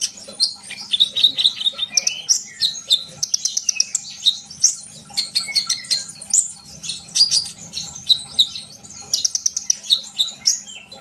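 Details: Sunbird song played to get young birds singing actively: dense, high-pitched twittering with rapid chirps and short whistled notes, nearly continuous chattering in bursts, with a faint low hum underneath.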